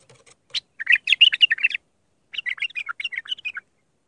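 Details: Iraqi bulbul of the raw Mandali song style, singing to tutor young bulbuls: two bursts of rapid chattering, warbled notes, each phrase about a second long, separated by a short pause, in a quiet setting.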